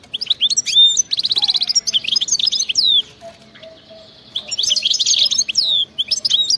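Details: European goldfinch in wild-style song with frantic 'bitbita' trilling: a buzzy, fast-repeated trill, then liquid twittering phrases, a short pause, and another long run of high chattering notes.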